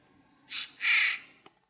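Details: Shouting Eurasian jay giving two loud, rough screeches, the second longer and harsher, then a brief sharp tick.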